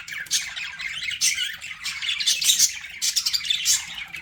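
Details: Budgerigars kept as pets chattering in busy, high-pitched bursts of scratchy chirps and squawks, arriving in irregular clusters roughly every second, with no other clear sounds.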